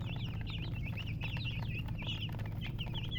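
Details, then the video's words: Young chickens give loud, high-pitched cheeps in short bursts, several birds overlapping, some notes arching up then down, over a steady low background hum. "Baby "Chicks Chirping" Sound"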